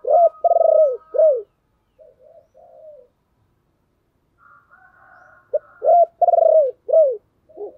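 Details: Calling coo of a spotted dove, used to rouse a decoy bird. Two full phrases of mellow hollow notes: a brief lead note, a rising coo, a long pulsing descending coo, and a closing drop, with quiet muffled sounds between.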